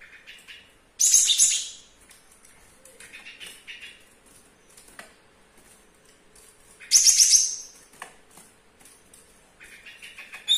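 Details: Young Java sparrow (Padda oryzivora), kept about two weeks, still sings despite a sore foot and a broken claw: high, bell-like chirps and clicks with two louder tinkling bursts, indoors in a kitchen with quiet background noise.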